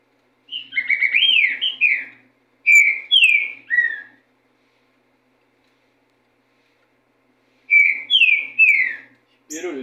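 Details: Green-winged saltator delivering rich whistled phrases of four or five slurred, rising-and-falling notes, repeated after pauses of about two and four seconds; a short noisy sound at the end.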